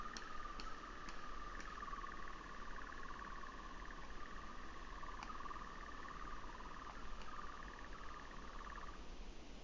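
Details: Softer, more distant churr of a European nightjar in 2019, a long wavering trill that fades near the end, punctuated by several sharp clicks.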